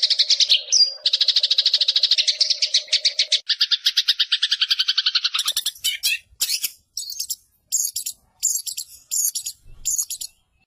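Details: Long-tailed shrike singing a mimicked medley including house sparrow, canary, lovebird and white-eye imitations: fast high trills, buzzy rattling runs and sharp scratchy chips about twice a second.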